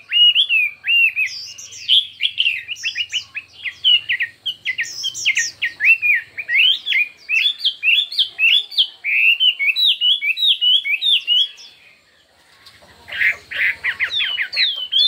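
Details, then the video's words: Chinese hwamei singing in a contest, a long, varied run of loud whistled phrases: rich, fast-changing notes, some rising and some falling, carried on almost without a break for about eleven seconds, a short pause, then a burst of harsher, buzzier notes. "Hoạ Mi Hót Đấu Nhiều Giọng"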